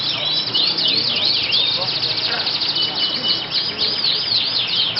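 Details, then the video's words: Yellow canary at a songbird contest in Yogyakarta, Indonesia, singing long, fast, high trills and swept whistled notes that rise and fall repeatedly, with other birds and faint voices in the background. "Aksi Burung : Kenari Killer Debutan baru"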